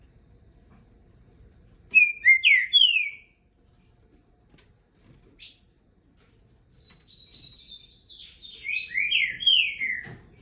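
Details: Captive green-winged saltator, three years and nine months old, singing a short phrase of slurred descending whistles, then a longer run of high sliding whistled notes after a pause.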